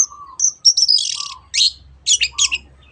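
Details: Long-tailed shrike singing to prompt other birds: a high whistle, a long grating rattle, a low warble, then several short harsh bursts, over faint low hum.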